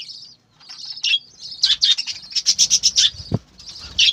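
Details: Captive budgerigars on a farm chattering. High, warbled chirps build into a run of evenly spaced, loud clicking notes, broken by a single low knock, then more scratchy twittering.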